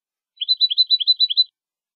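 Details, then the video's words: European goldfinch singing clean competition song, Málaga, 2020, meant for training birds: about a second of rapid, evenly paced liquid twitters, repeated almost rhythmically. "Nuevo canto del jilguero"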